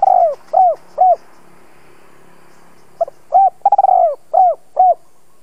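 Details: Decoy spotted dove calling to attract wild doves. Three soft falling coos end a phrase. After a quiet gap of about two seconds, a full phrase follows: a double pip, a purring trilled coo and two clear downslurred coos.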